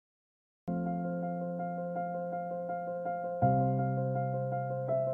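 Sustained piano or electric keyboard chords start after a brief silence, with a held low bass and steady higher notes, then shift to a new chord near the end; no animal sound is heard.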